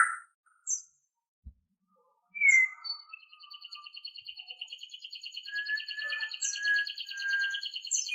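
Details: White-rumped shama song from a long-duration recording used to train captive birds: a few sparse high chirps, then from the midpoint a continuous high rattling trill with clear whistled notes layered beneath.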